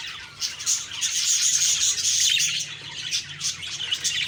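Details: Several budgies chattering on an October 2, 2023 morning, giving rapid scratchy chirps and a few thin whistled notes that pile up into a busy, unbroken twittering.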